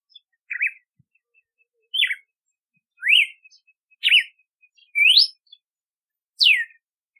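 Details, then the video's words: Whistled song of a red-cowled cardinal, six clear notes about a second apart, zigzag phrases, rising upslurs and a final steep downslur, with faint soft ticks between them. "Canto do Cardeal do Nordeste / Galo de Campina / Campina | Red-cowled Cardinal | Paroaria Dominicana"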